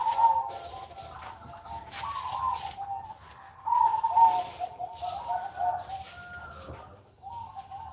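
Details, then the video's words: Perkutut, the zebra dove, heard on a Sunday morning: series of soft rolling coos, each phrase a quick stutter of notes followed by a sustained tone, with brief high tweets from other birds. "PANTAU KUTUT BUNYI"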